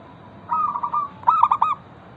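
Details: Zebra dove of a local type, singing as a lure to make other zebra doves answer: one soft rolling trilled coo followed at once by a quick stuttering run of three to four clipped coo notes.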